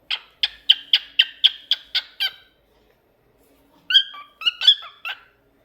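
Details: Singing pet cockatiel gives a rapid series of nine bright, evenly spaced chirps, then a pause of over a second before a few more varied whistled notes, some sliding downward. The background is otherwise silent.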